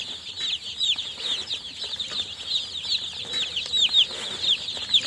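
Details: Newly hatched baby chicks chirping nonstop indoors, a dense chorus of high, thin peeps from several chicks overlapping, with brief sharp downward-sliding chirps standing out every fraction of a second and faint rustling underneath.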